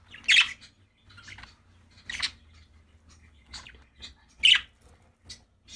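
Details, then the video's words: Happy budgerigars chirping: scattered raspy chirps and softer squeaks at irregular intervals, two louder calls standing out, over a faint low hum. "Happy budgies chirping sound"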